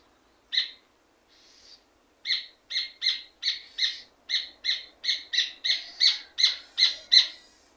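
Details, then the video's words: Red ovenbird singing: a few separate notes, then an accelerating, steady series of loud, ringing, sharp notes that grows slightly louder toward the end. "Red ovenbird sound effect - Rufous Hornero sound effect"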